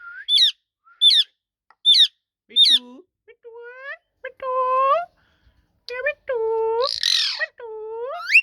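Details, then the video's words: Talking ringneck parrot: four sharp rising squeaks, then lower, voice-like harmonic phrases resembling speech, with one harsh rasp among them. "PARROT TALKING | RINGNECK PARROT"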